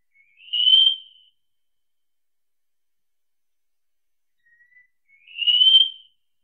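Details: Wallcreeper repeating a single thin, drawn-out whistle twice, about five seconds apart, each swelling and fading with quiet silence between.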